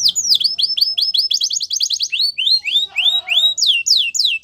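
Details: Canary singing rapid downslurred whistles in quick series, a brief fast trill, then slower rising and falling swooping notes with a low warbled phrase underneath.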